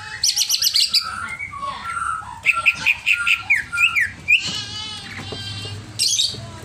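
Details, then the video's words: Over-excited greater green leafbird delivering a varied song: quick high chatter, a string of clear short whistles, sliding squeaks, a drawn-out buzzy trill and a final burst of chattering. "CIRI CUCAK IJO OVER EMOSI"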